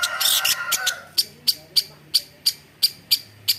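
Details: Long-tailed shrike, able to mimic various birds, begins with a harsh rasping burst, then gives clipped ticking notes repeated about three times a second.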